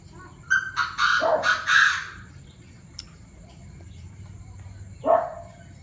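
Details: Group of Chinese francolins in a noisy evening chorus near 7 p.m., 18 September: a run of harsh, clipped, chattering notes with sharper tonal accents, a short click, then one more rasping call after a pause.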